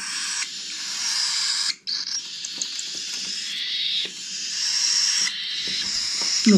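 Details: Hand-fed cockatiel chicks from a 2021 aviary brood beg with long, scratchy, hiss-like rasps that run almost continuously, pausing briefly now and then, with soft handling clicks.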